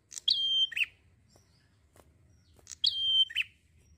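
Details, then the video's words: A lively prinia gives two identical phrases about two and a half seconds apart, each a sharp high note, a long flat whistle and a buzzy falling ending. The setting is otherwise calm. "PRENJAK GACOR SANTAI"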